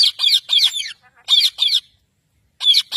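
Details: Pet parrot among talking parrots, giving quick, harsh, rhythmic squawks in groups of two or three, with a pause before a final pair.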